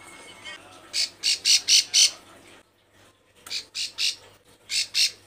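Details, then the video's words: Female bar-winged prinia in breeding condition calling to males: harsh, buzzy broadband notes in a rapid run of five, a pause, then two shorter bursts of three and two similar rasping notes; faint low hum underneath. "Burung Ciblek sawah Betina birahi gacor panggil jantan"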